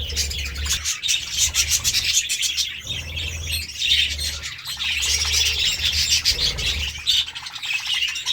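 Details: Budgies enjoying seeds and vegetables keep up dense, buzzy warbling and ticking chirps in bursts, with a low hum coming and going underneath.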